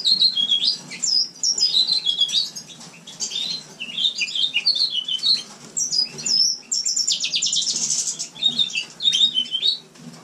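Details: Captive house finch song recorded in winter inside a shared room of a breeding aviary: long, rambling, high-pitched warble of rapid twitters, short slurred whistles and a buzzy trill, broken by brief pauses.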